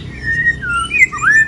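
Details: Moulting white-rumped shama in kéo thuốc lào song: thin, sliding whistles that drift downward and then sweep up, over a low background hum.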